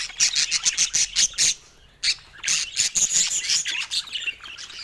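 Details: Budgerigar chick giving its first calls: a quick series of sharp, high, pulsed squeaks, a short pause, then another rattling run of raspy notes.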